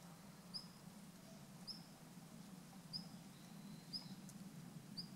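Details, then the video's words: Male long-tailed rosefinch giving call notes on 29 December 2013, perched close by: short, thin, high whistled notes repeated about once a second over a steady low hum. "ベニマシコ "Uragus sibiricus" の鳴き声（雄・地鳴き）"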